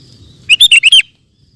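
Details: Sooty-headed bulbul singing vigorously, a recording meant for training caged birds: one short, bubbly phrase of five quick, fluty, warbled notes lasting about half a second, with a quiet background.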